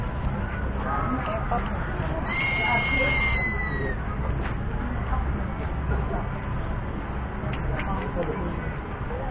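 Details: Crested serpent eagle calling: a single drawn-out whistle, steady at first and then sliding slightly downward, lasting over a second, heard against a constant noisy background with faint clicks.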